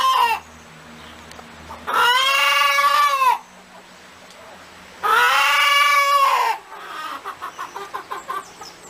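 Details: Chicken cackling: two long, loud, nasal squawks about three seconds apart, followed by a run of short, rapid clucks.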